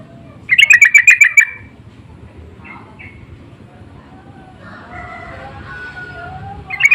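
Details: Persistent lure call of the Sooty-headed bulbul, used to make other bulbuls answer: one energetic burst of around eight harsh chattering notes, then quieter faint chirps, with another burst starting at the end.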